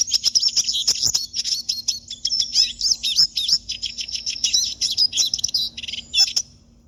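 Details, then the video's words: Captive siskin singing a fast, continuous twittering song of high chirps, trills and wheezy notes, with a faint low hum behind. "canto do pintassilgo, siskin"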